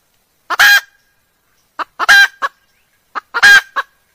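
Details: Hen junglefowl lure call said to bring males of all ages running. Three harsh triple-note phrases, each a brief lead-in, a strong hoarse burst and a short tail note, about every one and a half seconds, with silent background.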